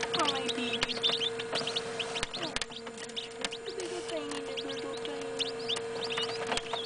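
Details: Newly hatched northern bobwhite chicks, a brood of 27, indoors under a lid at about 9pm. Dense chorus of high, thin, rising peeps from many chicks overlapping, with sharp clicks and a steady electrical hum throughout.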